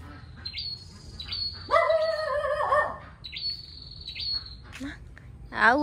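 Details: A flowerpecker, possibly a red-headed flowerpecker per a viewer comment, gives thin, high, drawn-out notes in two short bursts among tall coconut palms at a rural Vietnamese garden property; a louder, lower, harmonic voice or squawk cuts in between and again at the end.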